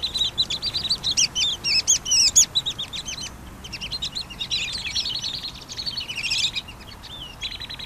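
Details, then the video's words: Pygmy nuthatches (Sitta pygmaea) give high, thin piping notes in fast, excited chattering bursts, several birds seemingly calling over one another with little pause. "Canto del Trepador Enano"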